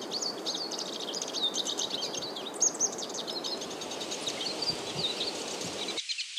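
Black-chinned siskin singing a long, rapid twittering stream of high, buzzy notes and trills, with faint background hiss.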